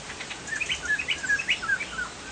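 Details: Chinese hwamei, Sumatran, singing energetically: a brisk string of short rising and falling whistled notes, closely spaced, with a soft hiss behind.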